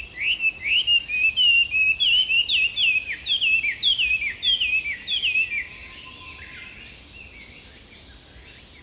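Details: Chinese hwamei calling loudly in a park, a brown bird about 25 cm with white eye stripe; a series of about a dozen repeated whistled slurs, each rising then dropping, then fading, over steady high hiss.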